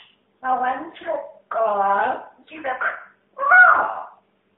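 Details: Pet talking parrot indoors repeatedly asking where her friend is, in four distinct speech-like phrases with clear, humanlike vowel tones and pauses between them.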